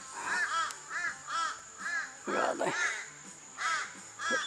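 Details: Crows near a beach south of Carnarvon toward Minilya, calling in annoyance at a couple of nearby hawks; harsh arched caws repeated about every half second, with a man speaking over part of the calls.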